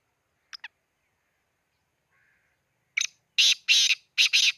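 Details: Black francolin calling near Khushab: after two brief faint chips and a pause, a loud harsh grating phrase of broad, scratchy notes, a short opener followed by paired rasping syllables, ending the recording.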